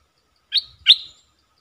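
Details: Decoy streak-eared bulbul attracting wild birds, recorded 3 June 2021, gives two clear, sharp chirps a third of a second apart, each with a short trailing tail, faint low rustles beneath.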